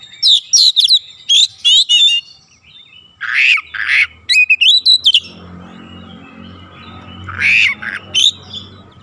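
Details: Oriental magpie-robin lure song meant to draw quick reactions and full singing: loud bursts of high whistles mixed with harsh, raspy notes, a gap, then more rasps and whistles; faint low hum in the background.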